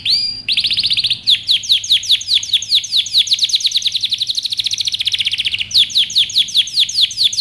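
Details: Canary singing to train young birds: a short rising note, then sustained rapid trills of descending whistled notes, changing tempo between rolls, with no other sounds.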